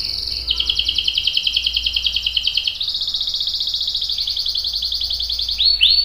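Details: Canary delivering a long rolling song, used to stimulate and train young and adult canaries. Continuous high trill switches pitch level midway, evenly pulsed, ending in a few rising whistled swoops.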